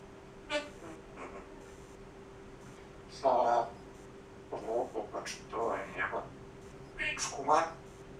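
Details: A pet grey parrot shows part of its talking repertoire in short, speech-like bursts with harmonic, voice-like syllables and whistly squeaks, spread over several seconds against a steady indoor hum.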